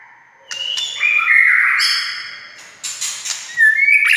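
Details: Provocation song of a white-rumped shama: warbled whistled phrases shifting pitch, a sustained rich note, then bursts of high buzzy notes and rising whistles.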